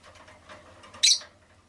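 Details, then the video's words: Pet rosy-faced lovebird giving one short, harsh, buzzy chirp after a second of soft rustling and shuffling, then quiet low background rustle. "Lovebird Chirping Sounds"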